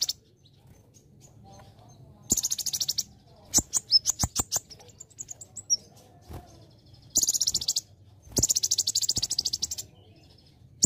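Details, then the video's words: Olive-backed sunbird training song, lively konin style with celilin fill, for teaching other birds: buzzy high trills, a scatter of sharp chips and thin whistles, then two longer trills toward the end. "MASTERAN ( KONIN ) KOLIBRI NINJA GACOR isian CELILIN"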